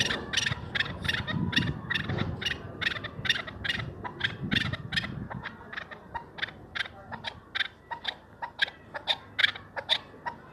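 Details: Chukar partridge, a hunting bird, calling: a fast series of sharp repeated chuck notes, louder at first then steadier, with low rumbling noise underneath in the first half.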